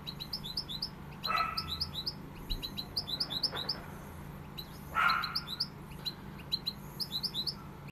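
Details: European goldfinch singing pegada: steady series of high, bell-like twittering notes repeated in quick groups, broken twice by a lower, rougher burst of sound.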